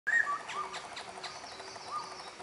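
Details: Black-throated laughingthrush singing at Bach Ma, Vietnam: a loud opening whistle sliding down, then softer clear whistled notes near the middle and end, over a busy background of chirps and trills from other forest birds.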